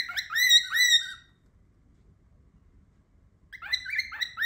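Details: Loud, close pet cockatiel calling in two rapid bursts of bright, downward-slurred chirps, one lasting about a second at the start and another beginning after a three-second silence.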